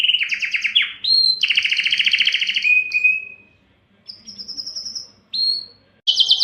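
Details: A Belgian canary, labelled Spanish Timbrado, sings bright, rapid trills and rolling tours, switching between ringing high phrases and lower metallic rolls with short pauses between.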